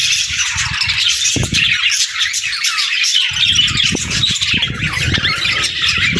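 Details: A gathering of pet budgerigars chatters nonstop, overlapping high chirps and raspy warbles, while low thuds and rumbling come and go beneath the birdsong.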